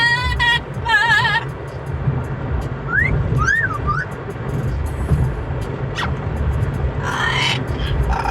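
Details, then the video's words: Pet Amazon parrot calling during a Sunday car ride: short warbling harmonic squawks, then rising and falling whistled glides and a sharp downward whistle, over a steady low rumble of the moving car. "Amazon parrot singing and making noise on casual Sunday car ride."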